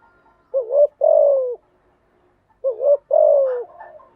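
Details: Spotted dove song used to train newly caught doves to sing: two-part phrases of a short rising double coo followed by a longer falling coo, repeated about every two seconds in a quiet setting.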